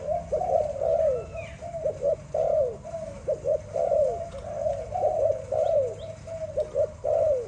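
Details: Kept Malay dove cooing in a steady staccato series of soft, low, rolling coos, each phrase made of quick short notes followed by a slightly drawn-out trill, repeating throughout with faint background hum.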